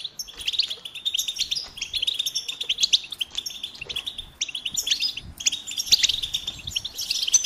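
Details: A goldfinch sings long runs of fast, tinkling twitters and buzzy trills, broken by short pauses, with the phrases varying and restarting throughout.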